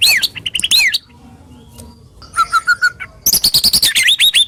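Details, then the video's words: Murai batu (white-rumped shama), Indonesia, with sharp, rough 'tembakan' phrases to lure stalled shamas into singing: quick looping whistles, a quiet gap, a row of six clear mid-pitched notes, then a rapid high chattering run. "Masteran Burung murai Batu Full Tembakan Kasar Dan Tajam"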